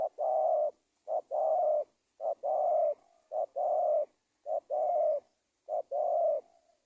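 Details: Indonesian spotted dove lure call for attracting wild doves: six regular phrases, each a short note followed by a long, even, slightly buzzy coo, repeated roughly every second, loud and close.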